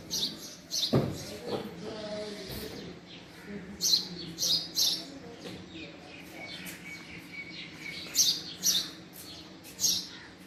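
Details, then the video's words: Male house sparrow giving irregular high chirps, some in close pairs, with a dull thump early on and low background noise throughout. "Male Sparrow Sound | Male Sparrow Call | Sparrow Sound Effect | Call Of Male House Sparrow"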